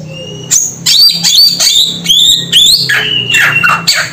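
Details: Varied calls from a samyong bird: steady high whistles, quick upward-sweeping notes and short rough chips tumbling in fast irregular succession, with a low humming background throughout.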